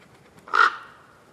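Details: A single harsh croak from a wild common raven in acacia woodland, one loud burst about half a second long with a faint trailing tail, otherwise quiet.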